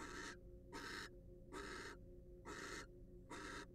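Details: Five drawn-out, rasping hiss-screeches from a wild barn owl in a nest box under study, about one every 0.8 seconds, each broad and breathy, over a low constant hum.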